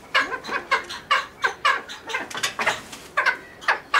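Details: Captive cheer pheasant in a pheasant nursery producing a chattering run of rough, raspy notes, repeated unevenly a few times a second.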